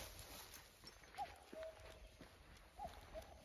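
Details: Tone-deaf common cuckoo returning for another year, still off-key. Two falling two-note hoots, spaced about 1.6 seconds apart, somewhat faint against steady outdoor background noise.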